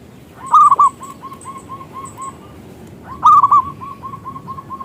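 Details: Actively singing local zebra dove used to call other doves into song: a loud rolling coo followed by evenly spaced softer notes, repeated twice, with faint high chirps from another bird.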